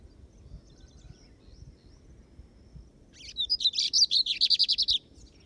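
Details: Lined Seedeater (bigodinho) on a field outing (campiada) among Brazilian birds; after three seconds of near quiet, a quick burst of about a dozen high, bright, buzzy notes repeated rapidly over under two seconds, then stopping.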